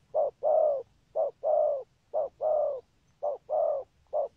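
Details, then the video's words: Low, hollow cooing of a spotted dove from Vietnam, noted for a good song pattern and urging coos: a short note then a longer drawn-out coo, the pair repeated about once per second, five times, steady and clean. "Chim Cu Có bài, rước tốt, có thúc gù"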